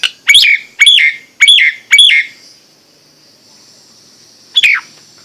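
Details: Nias hill myna giving four loud, ringing down-slurred whistles in steady rhythm, a pause of over two seconds, then one more falling whistle.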